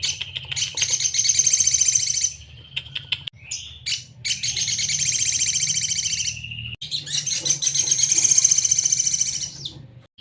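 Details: Tutor recording of sogon singing: three long, harsh, buzzy trilled bursts of rapid repeated notes, each about two to three seconds, separated by brief gaps with scattered chips, over a faint low hum.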